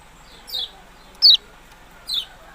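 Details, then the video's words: Yellow-bellied prinia giving three short, high, downslurred chip notes spaced well apart, each dropping quickly in pitch, against a quiet background. "burung kecial kuning ciak ciak"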